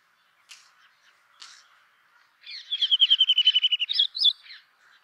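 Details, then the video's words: Two soft clicks from a brown rock chat, then a rapid, even trill of about fifteen bright notes and two higher, sharper notes to close the phrase. "Brown Rock Chat Song! Brown Rock Chat Call! Brown Rock Chat Sounds! Indian Chat Song!"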